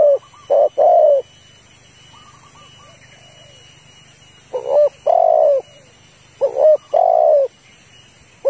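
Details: Female spotted dove calling to stir a male, used as a lure for trapping; loud cooing notes in short paired bursts, a brief note followed by a longer falling coo, repeated in groups, with faint steady hum and high-pitched background tones.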